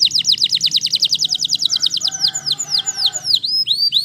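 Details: A Waterslager canary delivers a rapid run of steeply falling, whistled notes. They slow into wider, looping down-slurs, with faint lower warbling in the middle.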